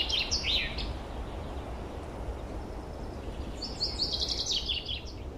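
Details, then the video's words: Woodland birds in spring, 2023: two quick chirpy notes open, then after a pause a longer rapid run of high twittering notes, all over a low steady background rumble. "Пение лесных птиц. Пение птиц."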